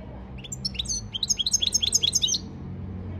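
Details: European goldfinch training song recorded 15 February 2024: a fast run of high, sweet twittered notes, each slurred sharply up or down, repeated about two or three per second in a lively burst, with a faint low hum beneath.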